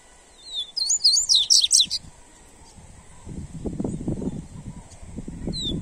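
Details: Double-collared seedeater, played as a warm-up song to stimulate other seedeaters: a rapid burst of high, sharp, twisting notes lasting about a second, with a constant high hiss and low rumbling background noise afterward.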